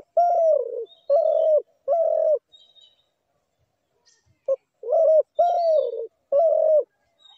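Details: Spotted dove cooing in a repeated rhythm: three mellow, slightly falling notes, each about half a second, then a pause. A clipped note follows, then three more coos. Thin high chirps from other birds sound faintly.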